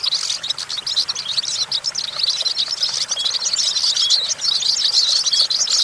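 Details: Perched goldfinch sings a fast, jangling twitter of high chirps and rolling trills, growing denser and louder toward the end, with faint hiss behind.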